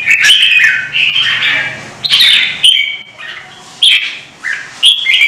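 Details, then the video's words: Short, emphatic warbled phrases from a caged red-whiskered bulbul in a Vietnamese song duel, each burst rising then falling, spaced about a second apart, with faint room noise. "CHÀO MÀO | Hót đấu kích chim ché căng lửa"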